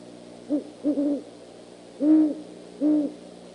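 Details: At 11:20 PM CST on 25 January 2015, a Great Horned Owl perched on the rails of the Decorah eagle nest gives deep, soft hoots in uneven rhythm, calling back and forth with another, with a faint hiss behind.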